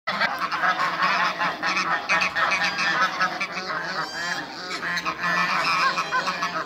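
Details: Eight domestic geese, Toulouse and African breeds, calling as they meet new geese: loud, dense, overlapping honks from several birds at once, harsh and nasal, continuing without pause throughout.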